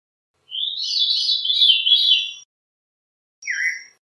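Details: Veery song: a long, breezy, tumbling phrase drifting lower, then after a pause a single short downslurred note.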